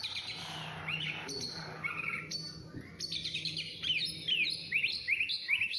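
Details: White-rumped shama singing: varied whistled and chirping phrases, with quick rising and falling notes that grow louder and denser toward the end, over a steady low hum.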